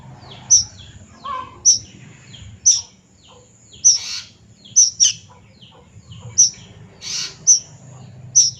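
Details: Immature plaintive cuckoo repeating piercing, very high short squeaks about once a second, some followed by fainter lower chirps, in quiet surroundings with a light low murmur.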